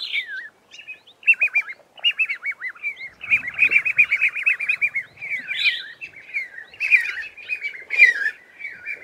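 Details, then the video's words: Group of Red-faced Mousebirds calling to each other from an Acacia tree, recorded close, before the flock flies off; dense chorus of trilled, wavering whistles from several birds overlapping, with brief low rustling midway. "Red-faced Mousebirds calling to each other in a flock"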